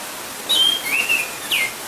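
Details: Orange-headed thrush heard from a balcony beside a loud gurgling stream: clear high whistled notes, a long sliding whistle then a short downslurred one, over constant rushing water.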